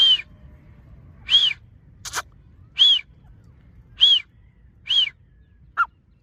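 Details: Partridge, locally called teetar, calling in a series of loud, harsh notes, each with a high arched whistle, repeated roughly every second; a sharp click sounds midway, and a short, lower final note closes the clip.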